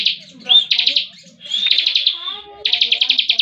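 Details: Bar-winged prinia (ciblek) singing hard despite moulting, a 'ngebren' performance of quick rattling trill bursts, drawn-out whistled notes and a closing rapid trill of about eight pulses, with a faint low hum beneath.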